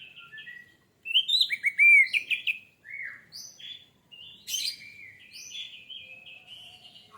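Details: Orange-headed thrush song played as a lure to trigger singing: rich, varied phrases of warbled whistles and sharp chirps, loud bursts between brief pauses, with high buzzy notes mixed in.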